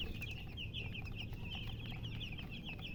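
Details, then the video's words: Continuous high chirping from chickens, dense wavering peeps packed closely together, set against a loud low droning hum. "silly chicken chirping sounds with murgi hen color chicken"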